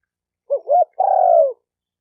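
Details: Spotted dove cooing, used for training a newly caught bird: two short rising notes, then one longer, steady, slightly falling coo. The background is quiet and clean.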